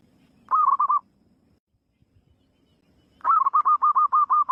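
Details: Wild zebra dove song. A short burst of quick, rolling coo notes comes first. After a two-second pause, a longer phrase follows: a steady string of about nine pulsed, even-pitched notes delivered at a fast rhythm.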